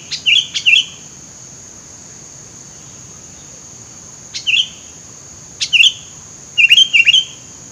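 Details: Sooty-headed bulbul in the middle of scrub, recorded to lure birds: sparse pairs of short liquid whistled notes separated by long gaps, over a steady high-pitched whine.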